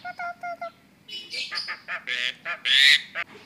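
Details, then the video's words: A tame white-vented myna with yellow eyes that can talk gives four short nasal whistled notes, then a burst of loud, harsh, chattering squawks ending in a long rasping screech. "jalak kebo mata kuning asli-bisa jinak bisa ngomong"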